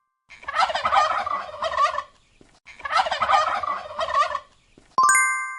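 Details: Turkey giving two loud, rattling gobbles about two seconds long, separated by a short pause, followed by a ringing chime.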